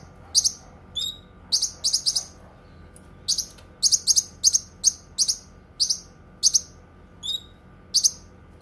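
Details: Cucak kinoi delivering a lively run of sharp, high double chirps at an irregular pace, broken by a few short, thin notes dropping in pitch; faint low hum underneath.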